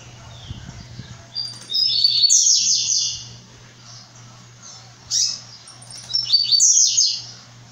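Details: Brown-plumaged blue-black grassquit singing high, buzzy phrases of quick slurred notes. There are two main bursts about four seconds apart, separated by quiet, with a steady low hum throughout.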